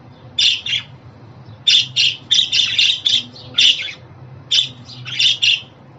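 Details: Pet budgerigar, sounds said to make a budgie happy and help new or young birds settle at home: short harsh chirps and squawks in bursts, some doubled, separated by brief pauses, with a faint low hum behind.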